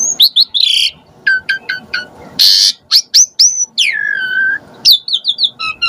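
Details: Asian pied starling sounds played to goad starlings into singing: a jumble of varied whistles, long downward slides, short stuttering notes and a burst of harsh rasp, irregular in rhythm.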